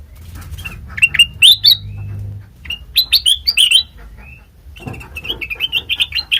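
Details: Sooty-headed bulbul song played as a lure for other birds: bright whistled phrases with rising and falling notes in short bursts, separated by brief pauses, over a faint low hum.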